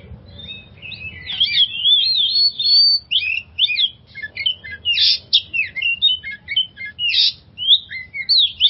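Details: Oriental magpie-robin song played as a lure to coax stressed magpie-robins into singing: flowing sequence of whistled phrases, quick chips and buzzy notes, repeated about twice a second.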